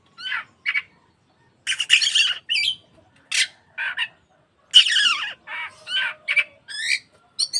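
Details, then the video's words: Oriental magpie-robin training recording played to make caged birds sing and spread their tails: harsh, squawky bursts alternate with buzzy, down-slurred whistles and short scratchy notes, separated by brief silences. "PANCINGAN KACER BUKA EKOR BIYAR BURUNG ANDA LEBIH GACOR MAKSIMAL"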